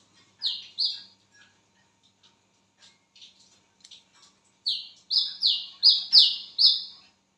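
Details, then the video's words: Wiceh bird heard at midnight: two loud falling whistled notes, a quiet gap with faint ticks, then a fast series of five or six similar downslurred whistles. "BURUNG WICEH MEMANGGIL WICEH GACOR TENGAH MALAM"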